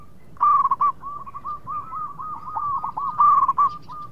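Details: Singing local zebra dove, its song a lure that makes rival birds answer fast; loud rolling coos start and end a steady run of quick, evenly spaced staccato cooing notes.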